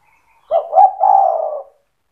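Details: Spotted dove in full song, a fast stuttering singer meant to spur other doves to answer: one phrase of two quick clipped coos running into a long, husky, slightly falling drawn-out coo.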